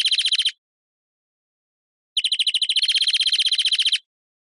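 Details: Greenfinch song with a short trill ending, a pause, then a longer rolling trill of rapid repeated notes lasting nearly two seconds; clean, quiet background.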